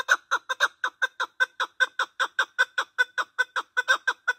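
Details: Partridges calling, a recording used to lure them for hunting: a rhythmic chain of gruff, clucking chuck notes, repeated evenly about two to three times per second, loud and clear against silence.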